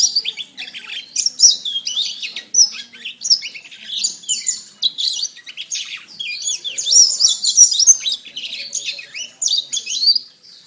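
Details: Singing canary, a masteran for training birds: long, unbroken chatter of bright chirps, twitters and sweeping whistles, building into denser rapid trills in the second half.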